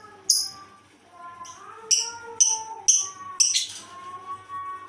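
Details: Unusual lovebird call: shrill, piercing chirps in an uneven series, several close together mid-way, over softer sustained lower tones.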